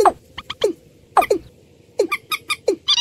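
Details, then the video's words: Watercock calling with short, low notes that drop quickly in pitch and come in pairs about every 0.6 seconds, mixed with bright clicking pulses. "Suara burung ayam ayaman"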